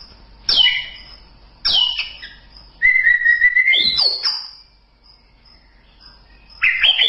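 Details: White-rumped shama (murai batu) singing for a masteran recording: sharp downslurred whistles repeated about once a second, a long level whistle, then a high rising phrase after a pause; a faint high whine persists.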